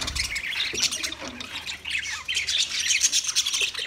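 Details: Budgerigars chattering as a group: dense, overlapping high chirps and short squawks running without pause, uneven in rhythm, with a brief low thump at the start.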